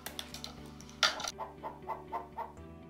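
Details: A pet Von der Decken's hornbill kept indoors as one of a pair gives its loudest sound: soft, rapid clucks, about five a second, after a brief louder burst. Steady background music plays throughout.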